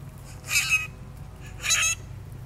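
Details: Grackles in a large flock descending on a yard where a chipmunk and grey squirrel feed; two harsh, scratchy bursts about a second apart over a low background hum.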